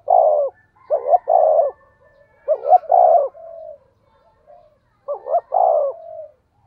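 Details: Spotted dove, 'thổ sấm' (thunder) voice, played as a lure to excite other doves: three phrases, each two short looping notes then a long, loud coo that sometimes fades into a quieter drawn-out tail.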